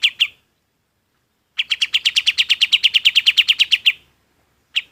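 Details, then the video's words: Golden-bellied gerygone song, used as a master for training other birds: two opening high notes, a silence, then a long rapid run of evenly repeated bright chirps and one final note. "SUARA KAPAS TEMBAK BUAT MASTERAN BURUNG LAIN PUN IKUT"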